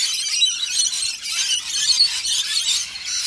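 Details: Unbroken shrill screeching from a flock of Australian Rainbow Lorikeets feeding in a frenzy on warm nectar with honey; many overlapping rasping calls form a steady, high, grating chorus.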